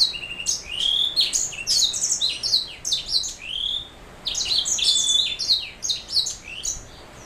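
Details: Black-throat mule singing two long bouts of fast chirps, rising whistles and trills separated by a short pause, sound high and bright with little background noise.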